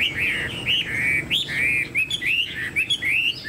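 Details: Chinese hwamei kept in a cage, standing tall with its tail spread. It gives a rich run of clear whistled notes, each sliding up or down, delivered rapidly with brief gaps between phrases.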